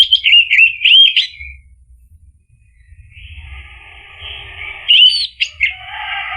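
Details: Orange-headed thrush song in the loud ngeplong style, used as a lure to get a silent bird to answer. A fast run of varied whistled notes, then a pause over steady hiss, then more sharp whistles and chips.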